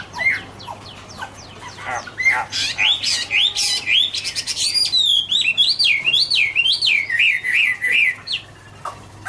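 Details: Chinese hwamei (Garrulax canorus) singing an autumn song: loud, varied whistled phrases, then a run of rolling, wavering notes repeated about three times a second, with sharp chips and squawky notes mixed in.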